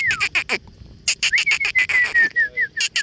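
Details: Parrots enjoying flowers give a fast series of harsh, rasping squawks mixed with sliding whistled notes that dip and rise, delivered in irregular rapid bursts with a few short gaps.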